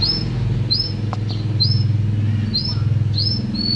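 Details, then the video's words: Canary in full song: short upslurred whistles repeated about every half second over a loud, constant low hum. "Kicau burung kenari gacor"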